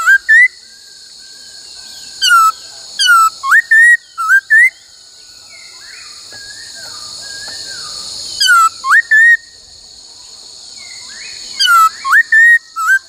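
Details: Laughingthrush during song training in the "bắt cô trói cột" style, giving bursts of short bouncy whistled notes, rising and falling, separated by pauses of several seconds, over a constant high-pitched buzzing drone.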